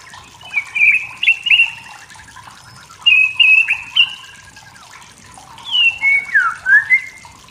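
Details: Forest-dwelling wild white-rumped shama singing to stir up rival males, delivering three bursts of clear whistled notes separated by short pauses, with later phrases sweeping down then up, and a constant watery hiss behind.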